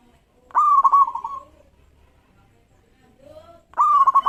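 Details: Local zebra dove singing actively to provoke rivals: a loud rising coo breaks into quick stuttered notes that trail off into a long fading purr, then a quiet gap before the next loud phrase begins.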